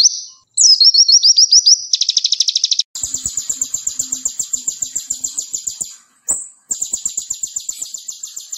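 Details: Konin singing in a training recording for other songbirds, with tembakan bursts: varied phrase of slurred whistles, a fast rattle, then long high buzzy trills broken by a short gap, with soft clicks below.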